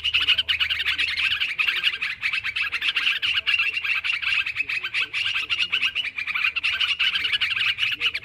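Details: Noisy sooty-headed bulbul calls meant for luring birds: a thick, rolling chatter of quick, bright chirps and squeaks, many callers overlapping without pause.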